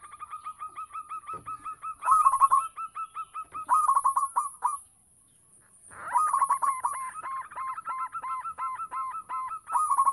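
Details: Local zebra dove in lively song meant to lure other doves: long runs of rapid, evenly spaced mid-pitched cooing notes, a brief pause near the middle, then a fresh run, over a constant faint high hiss.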